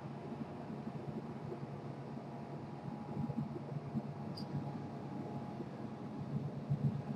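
A quiet, steady low hum like a fan or distant engine runs throughout, with no distinct calls.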